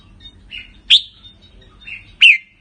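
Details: Red-whiskered bulbul of the Pala-U line giving short rik-type notes: two brief sharp slurred calls, each preceded by a soft lower note, about one second apart.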